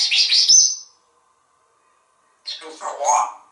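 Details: Talkative pet African grey parrot, male, indoors, imitating sounds and speech: a harsh, high screechy burst lasting about a second, a silent pause, then a short voiced, speech-like phrase with rising and falling tone.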